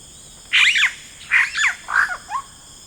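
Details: Yellow-rumped cacique in rainforest giving three loud, harsh, gurgling notes in quick succession, each a rich squawk bending downward, with a steady high insect hum behind.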